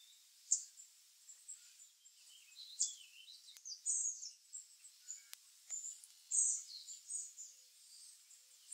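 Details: High, sharp chirps from Chickadees at a seed feeder, each followed by lower wavering notes, repeating irregularly every second or so, with a couple of faint clicks in a quiet setting.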